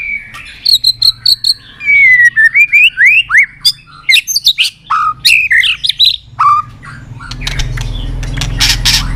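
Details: White-rumped shama singing in contest style to excite rival shamas: a quick series of varied whistled phrases, clear downslurs and upsweeps with brief sharp notes, then a stretch of rustling noise at the end.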